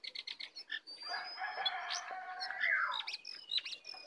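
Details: Wild Oriental magpie-robin coming in to attack: a loud run of varied whistled and chattering phrases, with rapid high chips, a sweeping slurred note and short rising whistles near the end.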